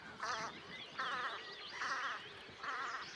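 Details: Velvet scoter, Liepāja, Latvia, March 2024: four buzzy, rattling croaks in steady rhythm, one every three-quarters of a second, with faint thin whistles between them.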